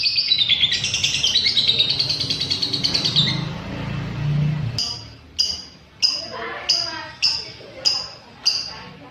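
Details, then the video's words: Lovebird, used for training caged birds toward longer ngekek; an opening burst of dense, rapid chattering fades into six sharp, separate chirps spaced about half a second apart, over low background noise. "Suara burung love bird untuk setingan"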